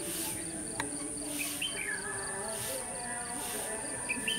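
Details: Red-whiskered bulbul recorded during a trapping session on 21 November 2015: short warbled, slurred phrases rise and fall, one early and another near the end, over a steady high insect drone and pulsing chirps.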